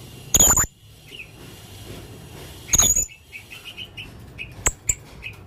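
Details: Hanging parrot calls played as a lure: thin, very high sharp whistled notes among short chirps, with two loud harsh rustling bursts and a steady low background hum.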